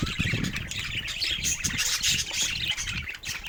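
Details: Several pet budgies at play with toys warble and chirp continuously in high, scratchy bursts, short squawks popping out of the stream, over faint low rumbles and knocks.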